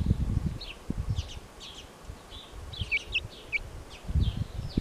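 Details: Brahma chicks giving scattered short high peeps, some slightly downslurred, over heavy low rumbling and handling noise.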